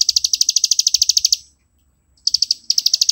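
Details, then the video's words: Plain prinia, described as living in grassland and rice fields, singing in the nonstop 'ngebren' style used as a master song for training birds: rapid buzzy high notes, about three per second, in long runs broken by a short pause. "ciblek sawah ngebren cocok buat masteran"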